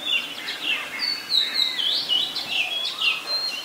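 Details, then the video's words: Oriental magpie-robin song, Ubon Ratchathani, Thailand, February 2023: a lively run of high clear whistles, slurred downward and upward, delivered rapidly and continuously over faint ambient hiss. "นกกางเขนบ้าน Oriental Magpie Robin (singing)"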